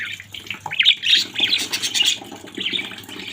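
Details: Budgerigars from a family flock give short rising chirps and a warbling stretch of scratchy notes, over a low buzzing background noise.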